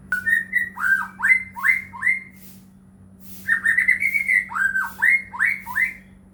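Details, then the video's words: White-rumped shama lure song to make other shamas sing: two vigorous bursts of looping, upslurred whistles in quick succession, separated by a brief pause, over a steady low-pitched hum. "murai batu gacor AMPUH buat PANCINGAN murai batu agar bunyi"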